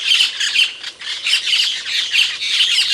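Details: Asian glossy starling calling, an Indonesian songbird noted for loud, piercing notes. Continuous shrill squawking chatter in rapid pulses, with loudness swelling and falling roughly every half second.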